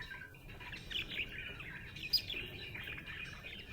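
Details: Budgerigar; chirping chatter; contentment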